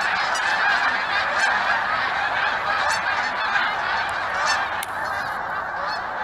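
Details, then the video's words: Massed honking from a huge flock of geese that stops by each year; nasal calls overlap thickly, with a few louder individual honks standing out. "Huge flock of geese"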